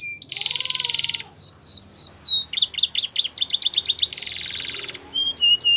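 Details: Gloster canary training song, loud and high: buzzy sustained rattles, a run of falling whistled slurs, then rapid clipped notes and another buzzing roll before short whistled phrases.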